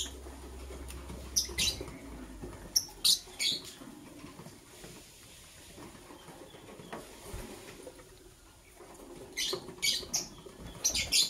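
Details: Lovebird with green and blue plumage chirping ahead of egg laying, giving clusters of quick, piercing high chirps at the start, middle and end, separated by quiet rustling and a low hum.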